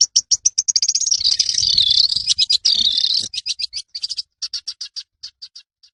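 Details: Long-tailed shrike in a lively, rolling master song used to train birds; rapid high chips speed into a continuous buzzy, warbling trill, then break back into evenly spaced sharp notes that gradually slow and fade.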